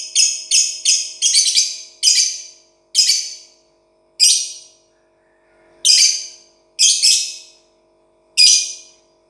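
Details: Cage-free lovebird with a rapid cluster of scratchy high chirps that slows into single harsh notes spaced about a second apart.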